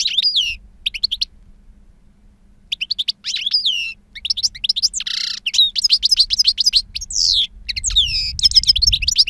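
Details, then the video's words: Wild-style song of a two-year-old European goldfinch known for a potent timbre and long calls. Clipped twitters and liquid trills come in bursts with short gaps, broken by a harsh buzz, over a faint low rumble. "Jilguero Reclamo Canto Silvestre Puro"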